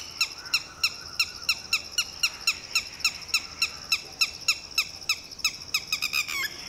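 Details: Red-wattled lapwing mother calling in panic while protecting her newly hatched chick and a two-day-old chick as a shikra swoops low; rapid, regular series of sharp high notes, about three to four per second.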